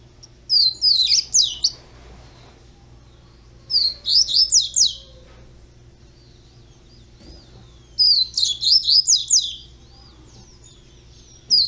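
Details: Juvenile double-collared seedeater repeating a busy, high warbled phrase of rapid slurred whistles and twitters about every three to four seconds, with silence between bursts.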